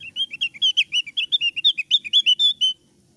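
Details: Lure song of a thick-browed Javan grey-throated white-eye, loud clear singing mixed with chatter: a fast, steady run of around twenty bright chirped notes over nearly three seconds, ending abruptly.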